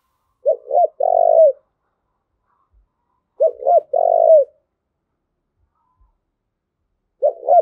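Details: Spotted dove repeating a three-part coo, two quick clipped notes then a longer falling one, about every three seconds; the 'thúc gù' call used to train decoy birds and rouse males, with nothing else heard.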